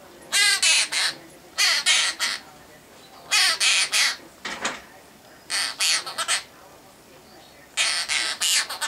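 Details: Male half-moon conure kept as a pet, singing a favourite nursery tune: repeated clusters of three or four rough, harsh squawking syllables, loud and broadband, with brief silences between clusters.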